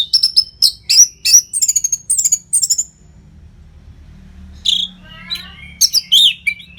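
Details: Orange-headed thrush in continuous training song for competition birds, recorded in Singaraja, northern Bali: a string of loud whistled notes stepping upward, a quiet gap, then scratchy trills and sliding whistles.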